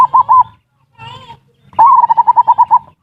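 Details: Zebra dove lure song in ngerot and kuwor styles, used to stimulate mating urge and prompt lazy birds: three quick coos, a soft murmur, then a rolling series of about nine even, bubbling coos.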